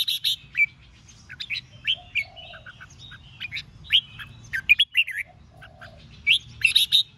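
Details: Competitive singing of red-whiskered bulbuls meant to rile up wild-caught rivals: a busy run of sharp chirps and rolling whistled phrases across the clip, with brief quiet around 5 seconds, over a soft low background hum.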